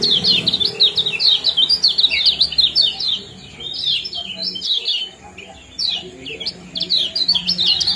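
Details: High chattering kecial kuning ciak jos song for bringing birds into breeding condition: dense twittering runs of thin down-slurred chirps, a brief lull midway, then further chirps.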